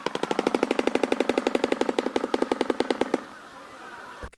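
A Shoebill clatters its bill in a fast, hollow, machine-gun run of about a dozen clacks per second for three seconds, then stops.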